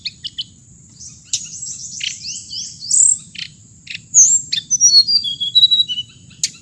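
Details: Song of the hồng hạnh bird: a few clipped chirps, then a series of rising swept whistles followed by quick high twittering phrases, a continuous shrill whine behind.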